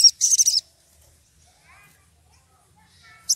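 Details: Sogon, wild and excited, calling out for a rival; a dense burst of sharp high chips at the start, then near silence with faint distant bird notes, and one more sharp high note at the very end.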